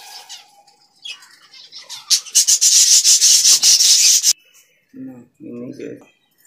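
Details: Zebra finch parents caring for their chicks in captivity; after soft scattered chirps, a dense run of rapid, harsh high-pitched calls lasts about two seconds, then a man's voice speaks briefly.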